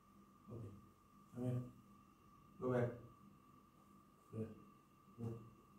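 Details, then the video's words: An African grey parrot speaks five short, low, word-like phrases at uneven intervals during its morning activity, over a steady electrical hum in a small room. "talking parrot"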